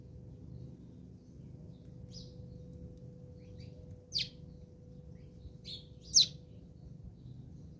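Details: House sparrows fighting in South Africa: sharp, short high chirps, a few faint ones and then two loud ones about two seconds apart, over a quiet background with a low steady hum.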